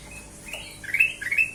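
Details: Black-crested bulbul (kutilang emas), a lure recording: a few slurred, gliding whistles that rise and dip, ending in a quick run of bright notes.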